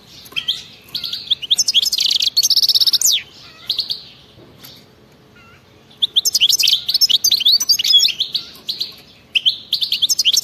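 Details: European goldfinch in wild-style song with crazed 'betbeta' trills, aimed at making silent goldfinches sing: long bursts of fast, bright twittering and buzzy rattles, broken by a quiet stretch with a couple of soft notes.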